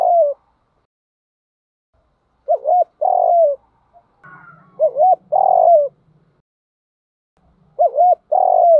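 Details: Spotted dove cooing, played as a lure to train birds to coo: three low cooing phrases, each two short hooked notes then a longer falling coo, about every two and a half seconds, with a faint low rumble in between.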